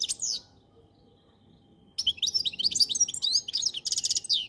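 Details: Goldfinch song: a brief high note, a silent gap, then a long tumbling run of twittering chirps ending in a buzzy rattling trill.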